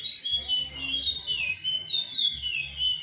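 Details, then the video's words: Timbira-style song of a chestnut-bellied seed finch, opening with quick falling whistled notes, then smooth descending slurs and a brief pause before a new whistled phrase; faint low hum in the background. "curió Timbira"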